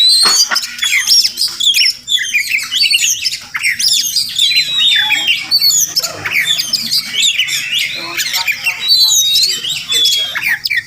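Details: Melodious morning song of a wild Oriental magpie-robin that comes to a house daily, maybe nesting close by: dense run of bright whistles, upward and downward slides and scratchy squawking notes, steady throughout.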